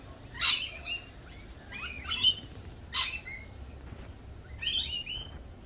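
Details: Lorikeet calls at a cafe: sharp, harsh screeches in clipped bursts, four main outbursts spaced one to two seconds apart against a quiet background.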